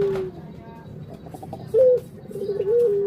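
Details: Barbary dove (puter) uttering a short rising coo followed by a soft steady humming note over low background noise.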